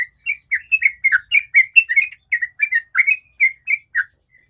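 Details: Fluent 'ropel' song of a sooty-headed bulbul, used as a lure so other bulbuls sing: a dense chain of bright whistled notes, each swooping up or down, slowing slightly before it stops.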